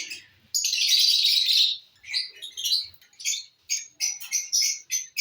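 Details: Lovebirds enjoying corn, with a long screechy chatter followed by a string of short, high chirps coming several times a second.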